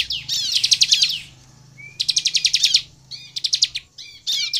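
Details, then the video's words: Bar-winged prinia singing to stir other prinias into song: separate bursts of fast, shrill, rattling trills lasting about a second each, with a thin upward whistle between them. "SUARA CIBLEK GACOR INI AMPUH MEMANCING CIBLEK LAIN LANGSUNG BUNYI DAN GACOR"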